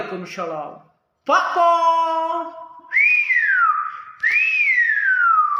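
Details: Common hill myna talking nonstop, mimicking speech: a short voice-like harmonic phrase, a pause, a longer nasal drawn-out syllable, then two loud whistles that swoop up and slide slowly down.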